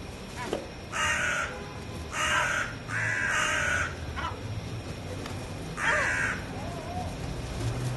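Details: A gathering of gulls giving loud, harsh, nasal squalls, four long calls in quick succession, then a pause and one more, with steady low background noise.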